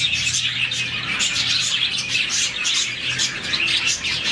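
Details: Budgerigars, a colony of around 40 caged birds, chirping in the morning when happy; a dense, continuous chorus of overlapping high chirps and twitters with no pauses, plus a faint low hum underneath.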